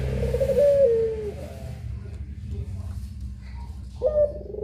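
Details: Captive puter pelung dove cooing: a low, drawn-out tonal coo that bends slightly downward over about a second, then a second shorter coo near the end, over a steady electrical hum.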